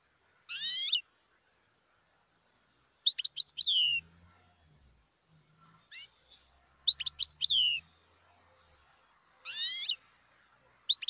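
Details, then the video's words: European goldfinch, wild bird from Algeria, repeating short clusters of bright twittered notes and rising whistles about every three seconds, with faint low rumbling between phrases. "تغريد الحسون البري"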